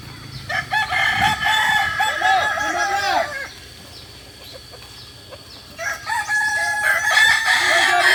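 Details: Kokok Balenggek roosters at joint crowing training in Ampang Kualo, Solok City, West Sumatra: long, multi-note stepped crows with wavering notes, then a quiet pause before another rooster starts a new crow. Several birds overlap.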